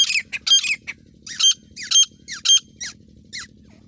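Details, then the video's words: Female grey francolin calling in Indian jungle during hunting; a burst of harsh, high squawky notes in uneven clusters, several loud ringing calls close together, fading out near the end over a low steady hum. "teetar Ki Boli grey francolin"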